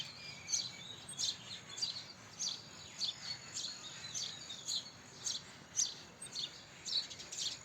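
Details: A house sparrow chirps steadily, giving sharp high notes nearly twice a second in an uneven but continuous series against low background hiss.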